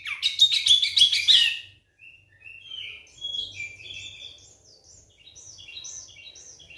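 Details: Oriental magpie-robin (kacer) lure song, played to prompt silent magpie-robins into singing: a loud burst of dense, high chattering notes, then softer, scattered whistled phrases with faint low hum.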